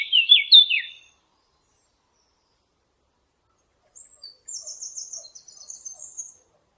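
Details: Birds chirping: a quick burst of bright, falling chirps at the start, then about three seconds of silence, then a thinner, higher run of rapid twittering notes.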